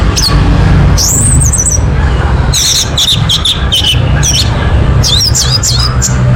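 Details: Orange-headed thrush song used as a lure to prompt a bird to sing: high, rapid whistled and trilled snippets in short clustered bursts, separated by pauses, against constant low-pitched background hum.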